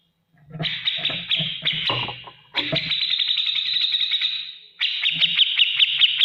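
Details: Ngetik ngipik song of an energetic grey-cheeked bulbul, recorded to train other cage birds: rough, stuttering phrases with low thumps, then a smoother sustained trill and a final run of sharp ticks.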